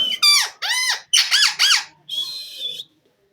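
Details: Pet Indian ringneck parakeet kept indoors, showing off its talking and mimicry: five loud, hoarse, arched voice-like syllables in two bursts, then a flatter, buzzy, sustained note. The room is otherwise quiet.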